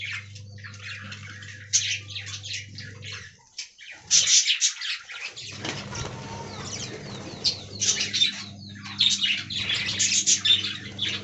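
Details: Budgerigar flock in an aviary, said to be talking: scattered scratchy chirps, a short near-quiet stretch, then louder bursts of squawking and warbling over a low hum.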